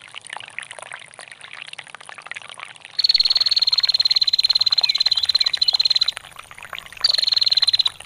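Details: Long ngetir call of a female bar-winged prinia, for songbird training, over trickling water: a high rapid pulsed trill lasting about three seconds, a pause, then another trill begins.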